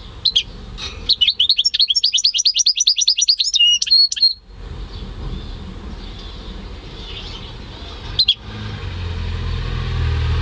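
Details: European goldfinch and canary hybrid, home-bred, singing in May 2015: a sustained rapid series of sharp, evenly repeated high notes for about three seconds, ending in a buzzy phrase, then quiet with one later chirp.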